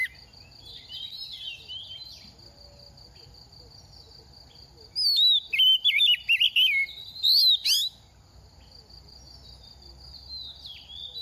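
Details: Moulting oriental magpie-robin, a young bird in its second season that sings freely: after quiet moments with a steady high tone, a burst of about three seconds of rapid, choppy warbled whistles and a rising flourish, then quiet again.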